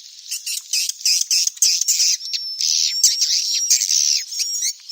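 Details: Calls of young swiftlets, used to attract swiftlets to roost: continuous high, rasping chatter of overlapping buzzy notes, with a thin whistled tone threading through the middle.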